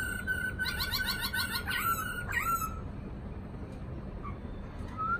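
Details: Caged black-throated laughingthrush delivering a fast, harsh buzzy chatter laid over a steady whistle, ending in a falling note, then near quiet with a faint soft whistle at the end.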